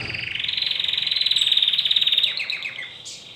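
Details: Domestic canary, recently brought home, sings a rapid pulsed roll that rises slightly and then holds steady, breaking into looser, falling notes at the end.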